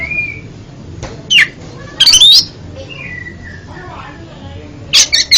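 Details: Oriental magpie-robin song for therapy of a stuttering pet bird, sparse here: a short whistle, isolated sharp chips and a loud buzzy burst, soft falling whistles, then more chips near the end.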